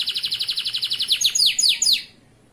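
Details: Local male Atlantic canary giving tutor song for young canaries: a fast pulsed high trill, then four louder swooping downslurred whistles before falling silent.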